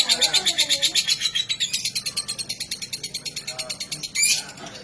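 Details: Lovebird, a fighter-type bird, giving a fast run of high, harsh chattering notes repeated about three times a second, with a brief louder squeak near the end and faint human voices underneath.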